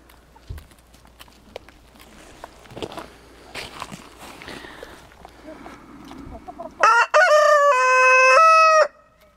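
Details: Domestic rooster crowing, likened to singing the Immigrant Song: a loud, strained, sustained harmonic cry lasting about two seconds after a brief opening note, preceded by faint speech, footsteps and outdoor rustling.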